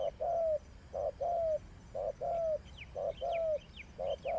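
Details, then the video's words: Spotted dove used as a decoy in trapping, giving mellow coos in short-long pairs with the long note sliding slightly down, about once a second, while another bird chirps high in the background. "Sound Of Spotted Dove is so good"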